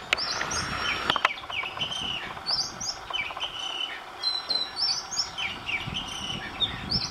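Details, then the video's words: Singing Oriental magpie-robin, one of several days' recordings with a fresh tune daily; a few sharp clicks open the clip, then a run of clear whistled slurs and high piping notes with brief pauses between phrases. "Singing Magpie Robin - beautiful call"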